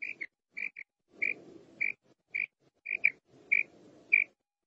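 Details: Female quail calling, a voice used for quail hunting: paired short, bright, high notes repeated roughly every half second to second. Soft low rumbling noise fills some of the gaps.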